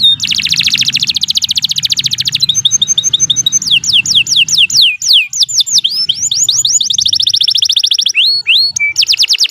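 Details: Canary long song used as a training model: dense rapid trills, changing into a series of looping downward whistles and varied chirps, tour after tour without pause.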